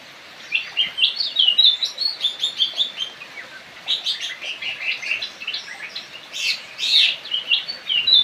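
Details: Javan cochoa (kidangan jawa, kaso kaso) giving bright high twittering notes in short bursts, a steady series of clipped chirps through the middle, then sharper, louder whistles toward the close.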